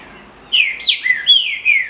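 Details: Short burst of female green-winged saltator calls used to excite males: four or five loud, wavering, slurred whistly squeaks after a quiet half second.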